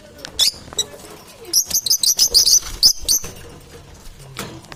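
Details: Parrots in a contest for survival give a burst of about ten sharp high chirps in rapid sequence after a couple of shrill squeaks, with softer calls around them.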